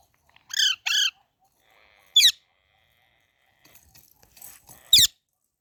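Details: Young parrot calling: a pair of quick harmonic squawks followed by two isolated sharp falling chirps, with faint rustling in the background.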